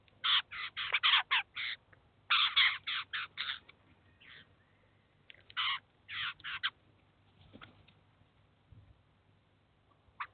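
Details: A Eurasian jay and its chicks at a cheese feeder in the city of Kaluga, where the adult feeds the young. Bursts of harsh rasping screeches fall in clusters, then thin out into quiet with scattered faint notes.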